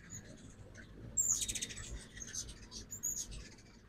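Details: Ruby-throated hummingbirds at a backyard feeder in Oxford, Mississippi, on a fall-migration morning in 2024 give two bursts of thin, very high, rapid chittering chips over a faint low background hum.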